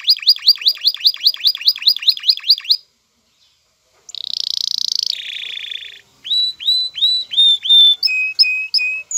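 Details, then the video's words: Male canary courting a female: a string of repeated sharp chirps, a pause, a buzzy rattling trill, then clear whistled notes stepping lower. "ذكر كناري هائج يجعل أنثي الكناري تأخذ وضعية التلقيح"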